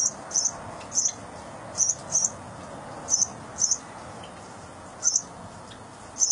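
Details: A cockatiel chick being fed by its mother gives very high, thin squeaks in quick pairs, repeated every half second or so, over a soft steady background hiss.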